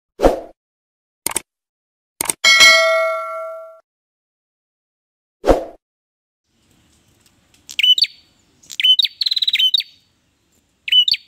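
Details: After several metallic clangs and a ringing ding, a bar-winged prinia gives high, buzzy chirped phrases repeated in quick bursts near the end.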